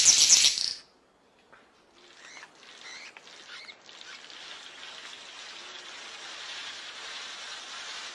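King of Saxony bird-of-paradise giving one loud, hissing, static-like burst lasting under a second, followed by faint scratchy notes over soft steady background hiss.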